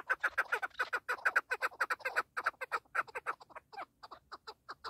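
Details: Loud partridge call: a rapid run of harsh chuck notes that gradually spaces out and softens, the final notes sparser and quieter.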